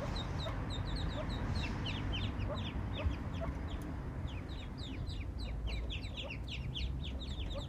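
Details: Eastern spot-billed duck family, a mother and ducklings wandered in far from any pond or river; a constant stream of quick, high, slurred peeping notes from the young over a broad low background hum.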